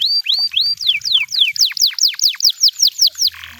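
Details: Canary in the wild gives a run of loud, clear downslurred whistles, roughly four per second, each sweeping sharply from high to lower pitch, ending with a brief buzzy burst.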